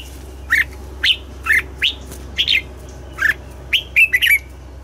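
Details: Morning song of a Red-whiskered bulbul, double-note forest-mature style for voice training: short, bright, rising whistled notes spaced about half a second apart, ending in a quick tight cluster of three, over a faint low hum.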